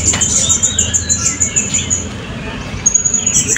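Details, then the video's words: Blue-crowned hanging parrot competing in the 2024 Balingian open songbird contest, class B, giving a fast run of shrill, very high, thin notes, about three per second, over a low murmur of people and background noise. "Burung Serindit B - Pertandingan Seni Suara dan Gaya Burung Berkicau"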